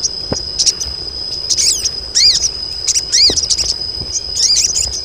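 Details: Several female crested jays in breeding condition call for males, giving clusters of high, arched chirping notes about once a second, with a steady thin whine behind and a few sharp clicks.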